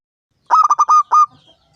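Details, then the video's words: Strong-voiced five-year-old local zebra dove, singing to lure others into song: a single phrase of about six rapid coos, the last ones stretched into steady notes, against silence. "Perkutut lokal gacor suara besar"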